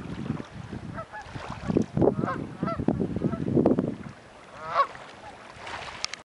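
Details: Gulls at Cobourg calling: a cluster of short, harsh, harmonic cries with quick rising and falling inflections, bunched in the first four seconds with one louder cry near the end, over low rumbling wind or water noise.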